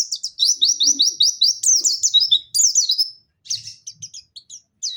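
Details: Song of a Dakun white-eye from Pacitan, delivered nembak style with mantenan and zipper witwit: a rapid run of bright downslurred notes rolling into a dense trill, then scattered short chips after a brief gap.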